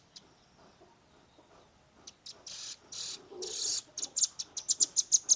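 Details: Young velvet-fronted nuthatch giving a 'tembakan' shooting song, phone-recorded: quiet start, a noisy rushing burst, then an accelerating string of piercing high chips growing louder.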